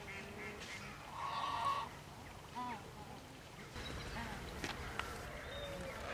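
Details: Swan geese at Slimbridge give a drawn-out nasal honk, then several shorter, rising honks spaced a second or so apart, over steady background murmur.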